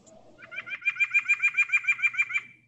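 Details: A backyard White-breasted Nuthatch gives its distinctive call, a quick run of about a dozen nasal, even notes, roughly six a second, after a faint low murmur.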